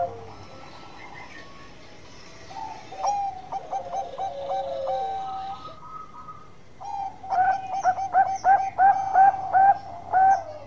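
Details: Bangkok-type zebra dove singing at length: soft coos and a drawn-out note, then a loud rhythmic run of short whistled coos repeated several times a second.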